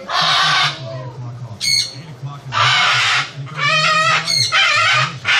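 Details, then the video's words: Loud parrot noise, with long raspy screeches and shorter, more tonal squawks that follow one another with only brief pauses, over a constant low hum. "Parrot making loud noise"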